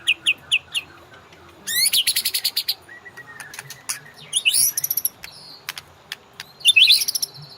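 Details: Master recording of a white-rumped shama for training caged songbirds: a few spaced high chips, then a fast rattling trill, followed by varied sweeping whistles and buzzy phrases.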